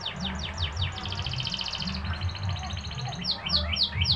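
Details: Canary (kenari) song played to get other canaries singing: fast, high trills of rapidly repeated notes, shifting between several tours, rolling continuously, with a low rumbling background noise.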